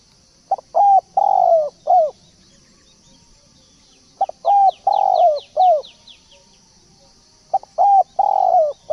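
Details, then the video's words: Decoy call of a spotted dove for luring: three repeated cooing phrases, each with brief stuttering notes, a drawn-out burred coo and a closing falling note; a quick series of high thin chirps sounds in the middle. "pancingan burung balam/tekukur"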